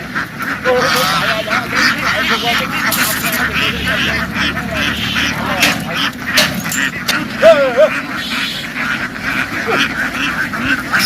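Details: Noisy flock of domestic ducks in a field runs into the water and back ashore, with irregular harsh quacks and short arched notes throughout, Vietnamese speech and rustling or splashing close by.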